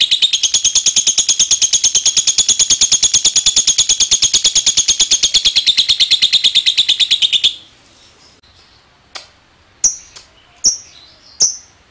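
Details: Lovebird giving a long ngekek chattering song, used as a lure to make other lovebirds sing along: a fast, even, buzzy high-pitched trill lasting about seven seconds, followed by a few separate sharp chirps after a pause.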